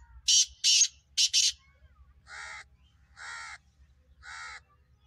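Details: Black francolin, a kept bird being readied for the season, calling: a few loud harsh grating notes in quick succession followed by three shorter, softer banded notes spaced about a second apart.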